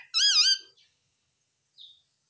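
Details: Pet Indian ringneck parakeet talking, saying "mummy": one short, wavering, harmonic-rich voiced utterance at the start, then a faint squeak after a second of quiet.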